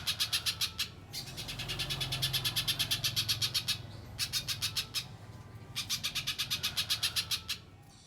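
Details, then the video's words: Little spiderhunter (pijantung pisang) master recording in the mbeset style for training contest songbirds: bursts of rapid, sharp high chips repeated about four per second, in runs of several seconds separated by brief pauses, over a low background hum. "Top Masteran Burung Pijantung Pisang Mbeset Suara Jernih Yang Disukai Juri Lomba"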